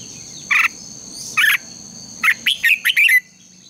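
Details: Red-whiskered bulbul morning contest-training song, two isolated chirped notes followed by a quick series of four bright slurred whistles, with steady high hum.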